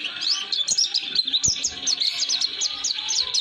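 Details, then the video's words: Thin, high notes cascade quickly and continuously from an Oriental white-eye singing the 'roll durasi' rolling song, intended as a tutor for young birds; a soft low thud is heard once midway. "Kicauan Pleci Atau Si Burung Kaca Mata Roll durasi Cocok Untuk Pemasteran"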